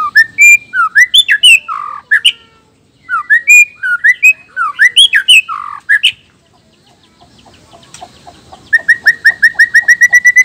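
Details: White-rumped shama male, black-tailed form from Nias, singing to provoke competing males: loud varied whistles and sharp chips in bursts, a short pause, then a rapid even series of repeated bright notes.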